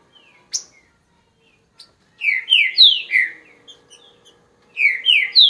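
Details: After a near-silent start, a green-winged saltator delivers two loud bursts of downward-sweeping whistles, three to four notes each, with a faint low hum behind.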